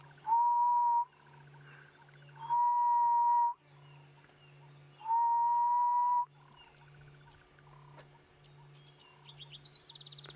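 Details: At sunrise on 29 October 2016 in Sabi Sand, a Grey-headed Bushshrike (Malaconotus blanchoti) gives three long, mournful, slightly rising whistles about two and a half seconds apart, over a low engine hum, with faint high chirps near the end.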